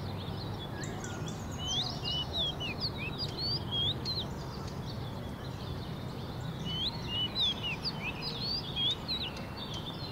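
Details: Oriental magpie-robin song: a varied run of clear, high whistled phrases, some rising and some falling, heard over a steady low rumble.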